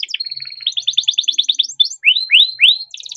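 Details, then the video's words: Kept canary's continuous song, used as a prompt for canaries that stop singing: choppy trills, a quick staccato roll, then three slow rising whistled slurs and a closing rattle. "burung kenari gacor panjang nembak rapat cocok buat pancingan kenari macet"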